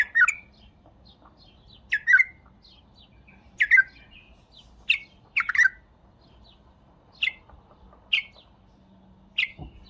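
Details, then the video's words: Single bulbul voice: bright chirps, some doubled, spaced every one to two seconds, each note sliding downward; calm background with a faint low hum. "اقوه تغريده بلبل تمر"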